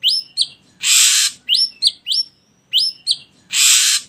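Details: Ashy drongo singing in a lure recording for getting birds to sing: pairs of sharp upswept whistles, one drawn into a thin level tone, alternate with long harsh hissing bursts.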